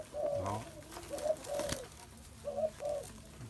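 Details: Spotted dove coos in short, rounded low phrases, several in quick succession, with light rustling and a soft background hum.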